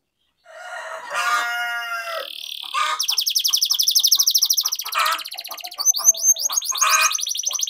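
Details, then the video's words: Canary rolling song meant to get other canaries singing: a lower harmonic warble opens, then dense high-pitched trills pulse steadily, and quick downward-sweeping notes follow near the end. "Pancingan Kenari Gacor Ngerol Ini Ampuh Bikin Kenari Malas Jadi Gacor, training canaries"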